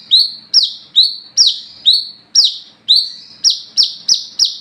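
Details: Olive-backed sunbird, known locally as wiceh or kolibri kelapa, singing at night as a lure to call and train other birds; loud high downslurred whistled notes with sharp upstrokes, repeated about twice a second in a steady run.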